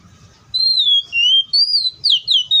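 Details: Oriental magpie-robin song recorded in the wild: a long pure whistle sliding downward, followed by a series of clear rising and falling whistled notes in quick succession, over faint low rumble.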